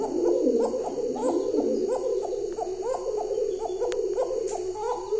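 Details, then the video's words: Home-bred show pigeons cooing in a dense, overlapping chorus, soft throaty rolls repeating about every half second, with a faint high hiss behind. "pigeon beautiful sound"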